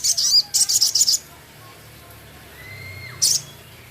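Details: Male Javan cochoa singing actively, with a full song carrying Sepah raja imitations and rough chattering ticks: a series of rapid, buzzy, very high notes in quick bursts, then a thin slurred whistle and one more short high buzz.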